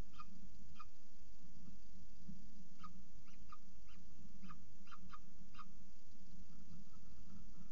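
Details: Peregrine falcon at a nest at CSU Orange, 14 October 2019, 6:54 pm, with the last prey of the day: about a dozen short, harsh, clipped notes, spaced unevenly over several seconds, above a steady low hum.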